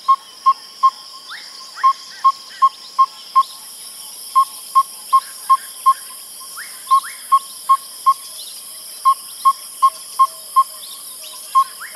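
Yellow-rumped Tinkerbird giving mellow, low-pitched pops in short bursts of three to six notes, separated by brief pauses; faint higher chirps from other birds and insects behind.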